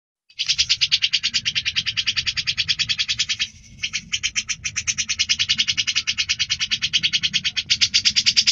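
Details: Grey-cheeked bulbul singing vigorously, recorded as tutor song for other cucak birds: a fast, steady run of sharp, high chattering notes, about three per second, briefly broken mid-way, then resuming evenly.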